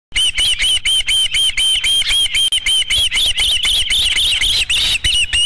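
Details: Osprey at the Dunrovin Ranch nest on 13 July 2016, calling as the fifth fish arrives. High whistled chirps repeat about four times a second in a steady, insistent run, each note slightly arched.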